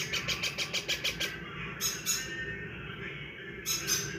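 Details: Yellow ringneck (rose-ringed parakeet) chicks give a rapid run of harsh, broad chirps, about three a second, then two louder raspy bursts over a steady indoor hum.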